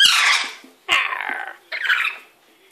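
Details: Pet lory playing and bathing in a sink with a wet cloth indoors, giving three loud, harsh, noisy screeches, each fading away after about half a second.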